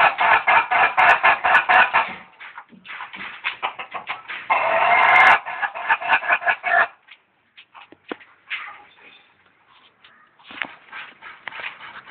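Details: A laughing chicken rooster from Jeneponto, South Sulawesi, crows in rapid staccato bursts that sound like cackling laughter.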